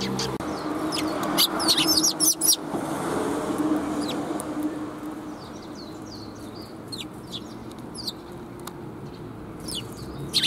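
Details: Sparrows greeting along the path, 16 April 2021: a burst of clustered high chirps at first, then fainter, thinner chirps toward the end over a broad rumbling background.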